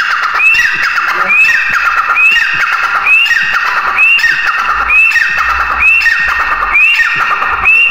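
Grey francolin calls repeat about once a second, each a sharp rising whistled note dropping into a harsh, descending tail. The sequence is loud and steady, with faint low rumbles beneath.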